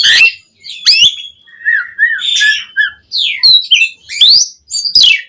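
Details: Asian pied starling in energetic song, used to rouse caged birds to sing: harsh squawks alternate with mellow downslurred whistles and rising, scratchy notes in an irregular sequence.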